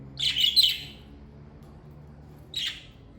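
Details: Pet parakeet chirping: a quick pair of bright, slightly buzzy notes, a pause of nearly two seconds, then a single softer chirp, over quiet room hum.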